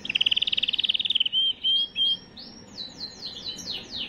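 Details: Canary song used to prepare females for breeding: very fast pulsed trill for over a second, three sustained whistles, then a series of rapid descending slurred notes.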